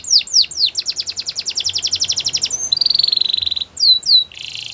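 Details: Belgian canary song with quick falling whistled notes running into a long, even, rapid trill, then a steady lower buzzing roll and a few high sweeps to finish.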